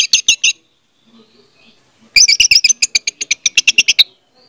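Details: Orange-headed thrush song, played as a lure to make a silent bird sing: a short burst of three high, harsh notes, a pause, then a rapid run of about fifteen sharp, clipped, high-pitched notes in quick succession.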